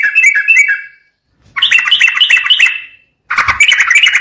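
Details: Sooty-headed bulbul song on a lure track meant to trigger singing: three dense bursts of fast, chattering, bubbly notes, each about a second long, separated by short silences.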